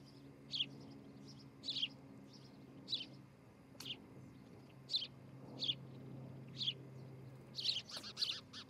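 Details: Osprey pair at their nest in Charlo, Montana, morning of 12 July 2018. High chirps are spaced about a second apart, and a brief burst of louder, faster notes comes near the end over a low steady hum.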